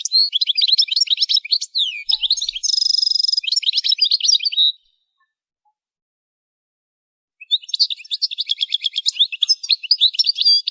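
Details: Goldfinch singing for song training, with rapid liquid twitters and a buzzy sustained trill in the middle of the first burst, then a long silence before another run of quick chirping notes and a rattling trill.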